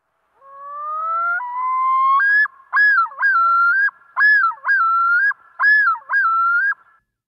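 A male Common Loon yodels: long rising wails, then six quick, looping two-note phrases at a steady pace, with no other sounds.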